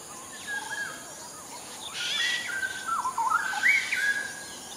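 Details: A wild straw-headed bulbul in Singapore sings rich, bubbling whistled phrases that slur up and down in pitch, coming in bursts over a steady background hiss.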